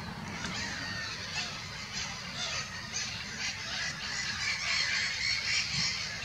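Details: Black-headed gulls calling at Monikie: a crowded mix of grating, squawking cries, some brighter and more distinct near the end, with lighter low wind noise underneath.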